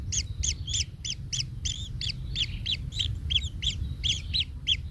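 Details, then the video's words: Kingfisher chick calling in the nest after its parent steps on it: quick harsh chirps, roughly three per second, some overlapping and slurred, over low background noise. "Anak Tengkek Terinjak Induknya Hingga Kesakitan - Baby Kingfisher bird nest"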